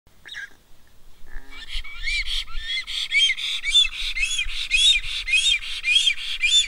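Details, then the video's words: Black stork calling while feeding its chicks: a fast, overlapping run of squeaky, wheezy, arched notes, several each second, growing louder, with soft low bumps and rustling beneath. "Black stork call"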